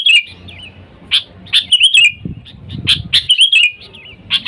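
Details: Lively sooty-headed bulbul calling out to wild birds, a sound used to lure bulbuls: sparse clear chirps and a wavering whistled phrase, with a soft low rumble partway through.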